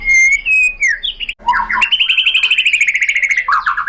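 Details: White-rumped shama (murai batu) lure song to provoke other shamas: two pure sustained whistles, a slurred falling note, then a long buzzy rattling phrase that gradually falls in pitch and ends in quick chirps.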